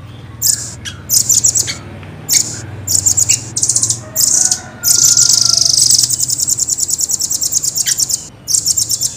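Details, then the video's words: Caged velvet-fronted nuthatch, known locally as rambatan, in full clear song: very high, fast, tightly packed trills in short bursts, then a long unbroken rolling trill and rapid repeated notes, with a low hum underneath. "Rambatan gacor jernih,speed rapat ngeroll panjang"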